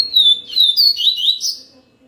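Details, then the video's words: Song of the yellow-bellied seedeater: a clear high whistle sliding downward, followed by quick warbling, slurred notes that rise and fall before ending in a short buzzy flourish, lasting about two seconds. "Yellow-bellied seedeater song"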